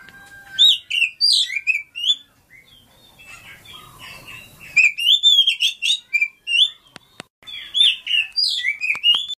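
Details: A Lampung Oriental Magpie-robin sings a rich, varied run of sweet whistles and sharp chirps, rising and falling phrases tumbling quickly one after another, with a brief quieter pause midway.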